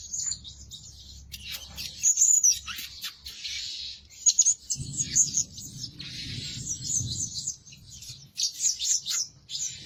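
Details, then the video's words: A Blue-crowned hanging parrot serving as a lure bird, known for calling day and night, twitters in rapid high, squeaky chirp bursts with brief breaks, while a low rumbling noise rises midway. "Denak Pemikat Burung Serindit Rajin Siang Malam Berbunyi"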